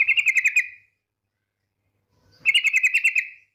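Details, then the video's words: Female yellow-vented bulbul calling the male: two rapid stuttering trills of about eight even pulses each, falling slightly at the end, separated by nearly two seconds of silence. "TRUCUK BETINA memanggil JANTAN"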